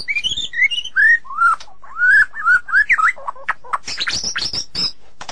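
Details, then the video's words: White-rumped shama singing rich, slurred whistles that rise and dip in turn, ending in faster high, sharp notes and clicks. "เสียงนกบินหลาดง (นกกางเขนดง) White-Rumped Shama Sound"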